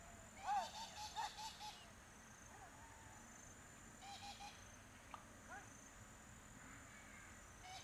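Coot giving short, nasal, honking notes in a quick burst of four or five, with a fainter run later. A steady high insect hiss continues throughout.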